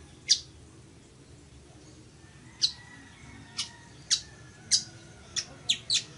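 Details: Chichiguao (village weaver), recorded to teach birds song: after a single chip, a gap of two seconds, then a series of crisp high chips, closing in quick succession, in a quiet background.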